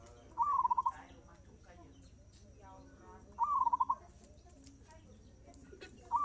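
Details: Zebra dove singing at a fast tempo, two full phrases of a rising whistle and a rapid run of cooing pulses about three seconds apart, a third beginning at the end, with faint background noise between.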